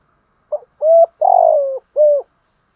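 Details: Caged lure spotted dove cooing in the thúc gù style: a short soft note, then two drawn-out mellow coos and a final rounded coo, all low and hollow, in near silence.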